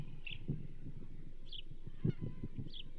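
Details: Osprey calling at the Charlo nest on 27 April 2024 as the banded female receives a whole whitefish. Three thin, high chirps come spaced over a few seconds above steady low rumble and a couple of knocks.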